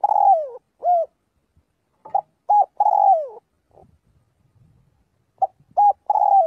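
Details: Spotted dove gives flock-calling coos in daily voice training: a long descending coo and short coo, a pause, then repeated phrases of clipped notes and a sliding coo.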